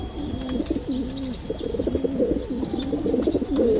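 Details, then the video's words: Dense pigeon cooing, with low rolling coos from several birds overlapping almost continuously and a light scatter of faint higher twitters. "Pigeon sound Effect"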